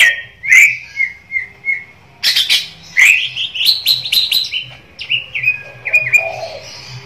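An Oriental magpie-robin sings a varied run of clear whistles, slurred notes and sharp chirps, rising and falling between phrases with brief pauses.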